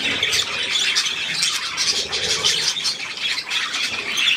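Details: Young budgerigars with millet on 3 May 2024: steady high, buzzy twittering and sharp squeaks pulse without pause across a few seconds.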